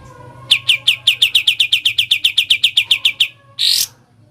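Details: Sooty-headed bulbul in the fast rattling song style called ngebren: about seventeen sharp, evenly spaced chirps in under three seconds, then one short harsh burst.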